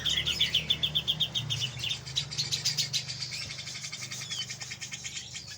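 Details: Grey-cheeked bulbul in a therapy-style birdsong recording: fast, bright chattering notes repeated about four per second, with high trilled bursts, over a low steady hum.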